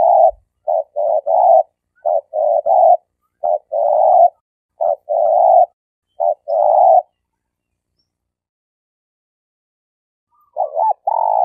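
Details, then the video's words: Malaysian spotted dove used as a trapping decoy, giving a rapid run of short burry coos and hoots in quick succession for about seven seconds, a pause, then a final phrase resuming. "Suara Burung Tekukur Denak Padu"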